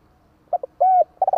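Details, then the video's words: Part of a spotted dove's 'kích bổi' phrase, used to provoke wild doves: two brief notes, one long smooth coo, then a quick stuttering run of short coos. "Chim cu gáy hay kích bổi nhanh nổi"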